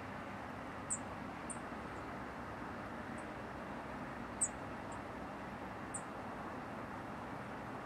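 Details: A Black-faced Bunting feeding in the shade of grass, rarely coming up, gives thin, very high 'tsip' notes. About seven are scattered over eight seconds above a steady low rumble like distant traffic.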